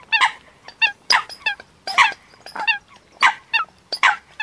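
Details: Eurasian coots call with short, harsh, honking notes, some in quick doublets, spaced irregularly across a quiet background.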